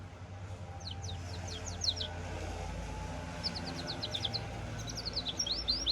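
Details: Goldfinch × canary hybrid singing in short bursts of quick, high twittering notes separated by pauses, over a steady low rumble of background noise.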